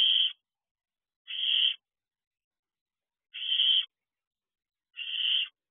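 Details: Barn owl owlets on the outside of their box in the early hours, 3 am; four strong rasping hisses at uneven gaps of one to two seconds, nothing else audible.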